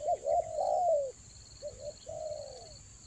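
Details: Spotted dove coos used for luring doves in the rainy season, Toba style: a loud long sliding coo after a quick pair of notes, then softer, lower coos, with a continuous high electronic tone behind.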